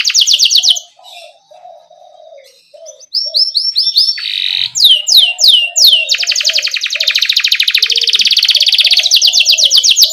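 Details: Canary singing steadily in rolling style, a lure for young birds: fast repeated notes, a brief lull, then sharp downswept whistles and a long rich buzzing trill lasting several seconds.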